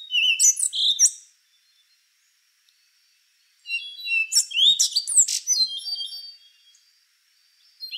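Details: Rufous-brown solitaire singing: a short opening burst of bright whistles, a pause, then a longer phrase of rapid high warbles and sharp descending notes trailing off.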